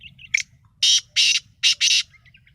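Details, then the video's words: Sindhi black francolin, the kala titar, in full 'masti' calling: a sharp introductory note followed by four grating, broadband rasping bursts paired as two doublets, loud against a faint low hum. "kala sindhi titar ka masti wallah boli"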